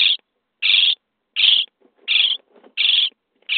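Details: Common starling nestlings inside a nest box on day 23, begging for food: loud raspy calls repeated about every 0.7 seconds, with soft scratching sounds between them.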